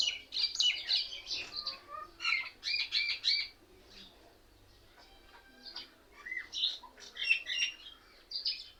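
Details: Many mynas sitting together in one tree, chattering and mimicking other birds as if laughing at each other: a busy mix of harsh squawks, chirps and whistled notes in overlapping bursts, with a brief quieter pause midway.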